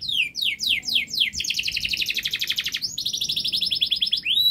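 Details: Vigorously singing canary giving a long, rapid model song for young birds: steep downward-swept notes repeated fast, then a rolling buzzy trill and a second dense trill ending in an upward slur.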